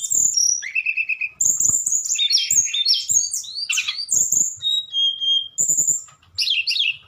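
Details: Tledekan singing in the fluting style called nyuling: rapid high whistles, trills and slurred notes tumbling one after another, with soft clicks and knocks between phrases.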